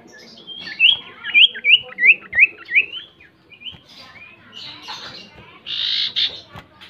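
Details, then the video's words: Common Iora song played as a lure to make the bird sing: six or seven rising whistled notes repeated about every third of a second, followed by softer chirps and a harsh buzzy burst. "Pancingan SIRTU atau CIPOH PALING AMPUH dan sukses bikin GACOR"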